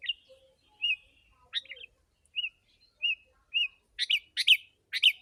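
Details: Sooty-headed bulbul singing vigorously, used as a lure for wild birds: scattered short whistled notes with a downward curl, mixed with a few brief buzzy, harsh chattering bursts toward the end, over near silence.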